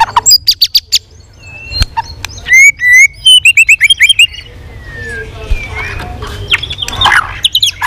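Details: White-rumped shama in continuous competitive song, many voices, tail flicking: quick clicking notes, then clear whistled phrases and rapid repeated upsweeping trills, fading into softer warbling with scattered sharp notes.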